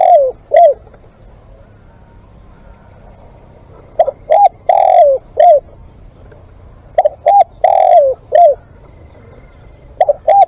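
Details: Repeated cooing from a live decoy spotted dove: phrases of two short notes, a long falling coo and a clipped ending, spaced roughly three seconds apart in a quiet setting.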